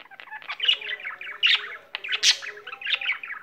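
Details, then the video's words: Singing pet budgerigar giving quick chattering phrases of squeaky chirps and clicks, with sharper bright notes standing out in between. "il cocorito canterino"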